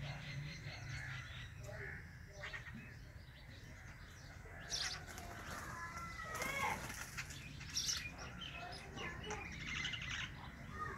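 Sparrows chirp in a busy, overlapping chatter of short bright notes, with wing flutters and a steady low background rumble.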